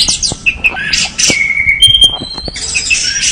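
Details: Orange-headed thrush pouring out dense high song, chattering notes leading into a long steady whistle that steps up in pitch, then more busy warbled phrases.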